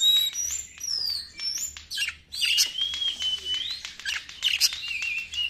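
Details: White-rumped shama singing as a lure: high, thin sliding whistles, explosive harsh notes and a long, steady whistle, over a faint low hum.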